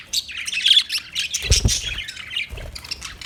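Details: Short burst of budgerigar chirping, bright twittering squeaks and harsh little notes run together, with a soft thud in the middle.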